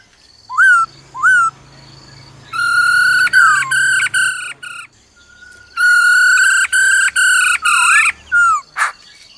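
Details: Female laughingthrush gives a "ro ro" call to fire up a male. Two drooping whistles lead into long, loud, pulsed harmonic phrases, then a short downslurred note and a raspy burst.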